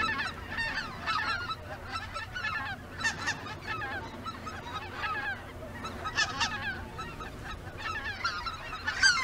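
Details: A flock of greater white-fronted geese flying in V-formation near Izunuma, Miyagi, before dusk, apparently heading out to feed again and often shifting positions, calls nonstop overhead with high, yelping, laughing, overlapping notes over a low rumble.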